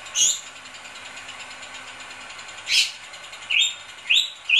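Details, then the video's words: Bali myna singing energetically: loud, harsh rising notes given singly and then in a quick run of three near the end, separated by quiet stretches with a steady faint hiss. "Suara jalak bali gacor"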